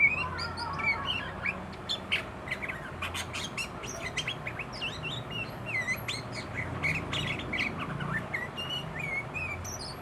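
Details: Excited sooty-headed bulbul singing its learned fill-in song: quick sequence of clipped chirps, ticks and short whistles spread evenly through the clip, with low rumbling background noise.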